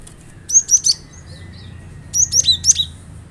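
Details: Lure recording of a cinereous tit (glatik batu) meant to set kept birds singing: two phrases of three or four loud, high, slurred whistled notes, about a second and a half apart, over faint background hum.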